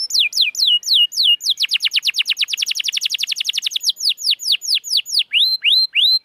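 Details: Canary song used to prompt reluctant singers and raise breeding drive: spaced falling swoops speed into a fast rolling trill, then slow again into broad downslurs and a few rising whistles.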